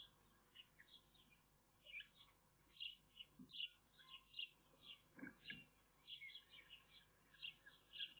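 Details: Nest-camera recording of Eurasian magpie nestlings, 30 May 2021. Dense, overlapping high squeaks and chirps pour out in an irregular, near-continuous stream, broken by a few brief clicks and knocks, with a low hum underneath.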